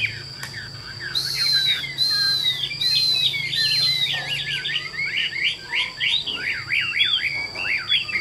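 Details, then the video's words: Chinese hwamei, a caged, 80% tame bird, giving drawn-out clear whistles that fall in pitch, then fast, loud, twisting warbled phrases; low hum in the background. "795 Giả Cả Nhẹ Nhàng Cho Ae Nghe Hót Nhé, Chim Thuần 80%"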